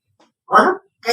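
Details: Pet female Congo African grey parrot mimicking speech: a loud, rich, voiced word-like utterance lasting about a third of a second, followed by the start of another.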